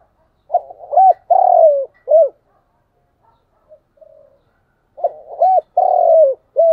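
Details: Decoy spotted dove calling in the morning to lure wild doves: two full low coo phrases, each of short hoots, a long drawn falling note and a brief end note, with faint soft sounds in the pause.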